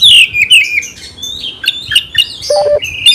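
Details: Oriental magpie-robin song used to stir fighting response: a loud clear descending whistle opens, followed by softer chips and short warbled notes, then a brief steady tone.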